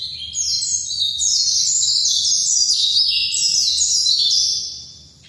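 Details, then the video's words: Continuous shrill twittering from a dakun white-eye of Bali: dense, quick chirps tumbling in descending and rising steps, loud throughout before fading at the end. "kicau pleci dakun bali"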